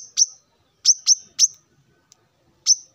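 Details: A male plain-throated sunbird calls rivals in the morning with scattered single sharp, high chip notes, some in pairs, separated by short silences.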